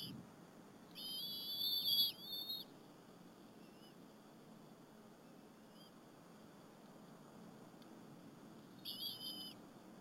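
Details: Eaglets and their mother at the Berry College bald eagle nest eat a squirrel on an April 30, 2015 afternoon: a loud, wavering, high whistled call near the start, a quieter one near the end, and faint hiss between.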